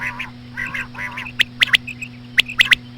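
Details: Female quail (batair) calling at a slow pace to attract other quail; two nasal notes open, followed by sharp clicking triplets and faint chirps against a constant hum.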